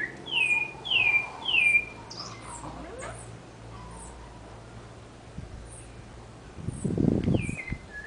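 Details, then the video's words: Sabiá thrush in a city backyard, three bright downward-slurred whistles in quick succession at the start, then a pause filled with faint chirps, a low rumbling noise burst, and a final descending whistle near the end. "SABIÁ CANTANDO NO QUINTAL - BIRD (SABIÁ) SINGING IN MY HOUSE"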